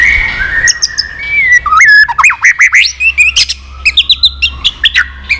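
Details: White-rumped shama, a mature wild-caught bird worked up for a singing duel with clicks and constant tail-flicking, gives varied clear whistles: a long steady note, then rapid rising-falling slurs and a burst of short sharp notes.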